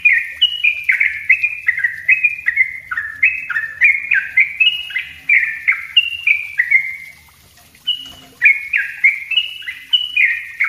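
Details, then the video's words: Yellow-vented bulbul singing dense 'ropel rapat' song, used as a lure and a master for raw birds. Seven seconds of quick, bubbling, descending notes end in a drawn-out trailing note. After a second's silence, the fast chattering phrases start again. "suara trucuk ropell rapat buat pancingan dan masteran trucuk bahan"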